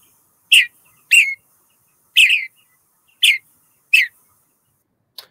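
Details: Western Bluebird singing in the oak woodlands of Calero County Park: five short, soft, slightly burry notes spaced about a second apart, then a faint final chip, with no other sounds.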